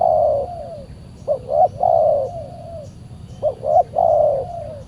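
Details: Fierce wild spotted dove answering a decoy while being trapped on a Saturday; deep soft cooing phrases, each two quick looped notes followed by a long sustained coo that fades downward, given about twice.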